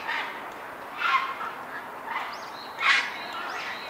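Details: Many Grey heron chicks at a mixed nesting colony with Great Cormorants and Black-crowned Night Herons, Sendaibori River Park, Koto Ward, Tokyo, 20 March 2022: two louder harsh, raspy chattering bursts among softer ones, with thin high whistled notes from another bird.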